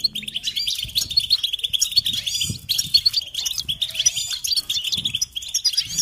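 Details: European goldfinch in a song recording for teaching chicks and songbirds: dense, continuous twittering and tinkling chatter, with soft low thuds scattered throughout.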